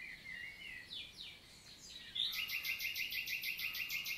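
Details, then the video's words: Common nightingale (Luscinia megarhynchos) singing on a summer morning, 11 June 2023, in countryside forest of La Vallée du Célé, Lot, southern France: varied whistled phrases, then a rapid pulsed series repeated about three times per second. "NIGHTINGALE MORNING SONG"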